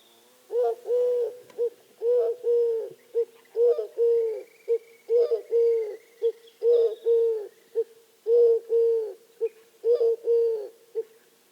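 Eurasian Collared Dove giving soft, hollow three-note coos, a short note, a longer stressed one and a short ending, repeated about every one and a half seconds. A faint thin whistle sounds briefly behind.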